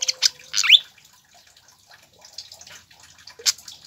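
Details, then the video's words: Pied fantail song used to stimulate caged birds: a few loud high chips and one rising slurred squeak at the start, soft scattered ticks, then a single sharp note near the end. "PANCINGAN DAN MASTERAN SIKATAN KIPAS AGAR CEPAT GACOR"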